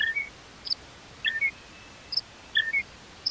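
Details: Great Grey Shrike song, subdued and made of rough and delicate notes: short, soft groups of high chirping and squeaky notes, a burst every second or so, over a steady background hiss.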